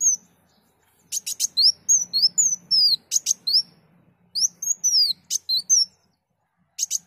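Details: Energetic sunbird song used for training songbirds: high, thin downslurred whistles and sharp buzzy chirps in short rapid phrases separated by brief pauses, with a faint low hum underneath.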